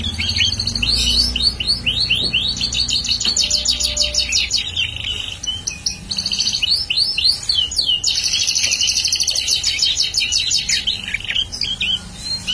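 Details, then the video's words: Bar-winged prinia in continuous lively song, long bursts of rapid high chirps and buzzy trills separated by short gaps, with a faint low hum beneath. "prenjak paud gacor"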